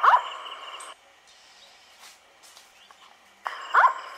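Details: Indian scops owl calling at night near Sikar, Rajasthan, India, on 7 April 2020: two short, loud, bending hoot-like notes about 3.7 seconds apart over a steady background drone of night insects.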